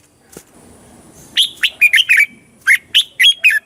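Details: Southern master-style song of a caged Red-whiskered bulbul from Thailand, used to train young birds and excite caged ones. After a faint click come two rapid phrases of bright, slurred whistles, each about four to five notes long.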